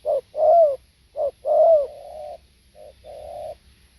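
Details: Spotted dove recorded live, giving throaty mid-pitched coos in short and drawn-out notes, with a rough rolling phrase followed by a softer trailing coo, repeated through the clip over a quiet background.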